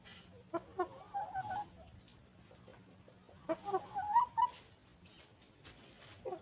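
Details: Free-ranging farm chickens pecking and grazing on fresh grass; two bursts of soft, short clucks around 1.5 s and 4 s, quick uneven notes with a few higher squawky syllables, faint background hum between.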